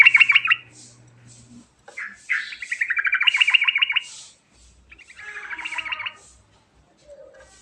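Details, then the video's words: Sooty-headed bulbul lure call in the rolling 'ngerol' style. Several bubbly chattering bursts sweep and trill around two kilohertz, with the longest near three seconds, separated by brief pauses. "Panggilan Burung Trucukan"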